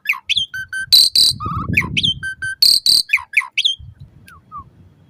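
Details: Asian pied starling singing, used as a lure to get caged birds singing morning and evening; harsh buzzy bursts mixed with whistles and slurred notes, a noisy low patch midway.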